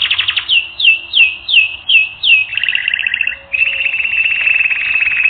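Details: Canary singing for a training recording: a series of six down-slurred whistled notes, then a two-tone rolling trill and a long, steady, fast-pulsed trill.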